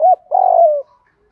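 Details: Single phrase from a decoy spotted dove, 'gù thúc' urging style used to lure doves: a brief clipped note followed by a sustained, buzzy coo that eases downward in pitch.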